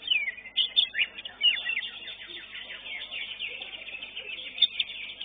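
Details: Greater green leafbird at a bird song contest, placed third, singing a fast, varied stream of high chirps, trills and slurred whistles, with other caged birds chattering in the background.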